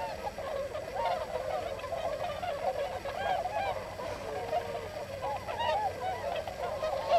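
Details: Hundreds of wintering Tundra Swans in the farmland along the swan road near Yasugi, Shimane, Japan; steady chorus of high-pitched, shrill, yelping honks layered over one another with no pauses.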